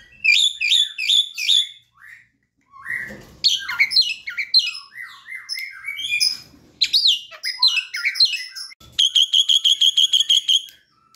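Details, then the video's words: Young Asian pied starling learning to sing, a lure recording: quick trills and chips, then a jumble of whistled and squawky notes, ending with a rapid regular string of sharp repeated notes. "Jalak kebo muda belajar bunyi"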